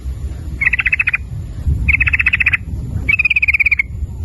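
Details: Rapid clicking 'ropel' rattle of a sooty-headed bulbul, used as a lure to make birds call: three quick pulsed bursts, the last one gradually falling in pitch, against low background noise.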